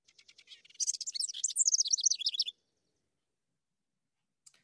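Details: A House Wren, a migrant returning to southwest Ohio, opens with quick dry ticking notes, then bursts into a tumbling, bubbly cascade of high warbles lasting under two seconds before falling quiet.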